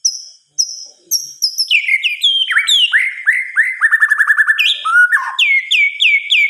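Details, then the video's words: Murai batu, the white-rumped shama, singing at night: opens with high thin whistles, then descending slurs and a quick rattling trill, closing with clear repeated falling whistles. "Suara Kicauan "MURAI BATU" di Malam Hari"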